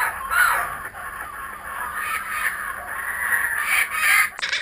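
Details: Returning kookaburras give a continuous raucous, noisy cackle that rises and falls over several seconds, ending with a short clatter at the close.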